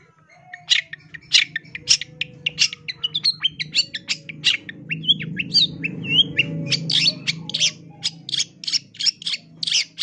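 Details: Loud long-tailed shrike song for bird training: rapid harsh chips and squawky notes delivered in quick series, with brief whistled phrases midway, over a steady low mechanical hum.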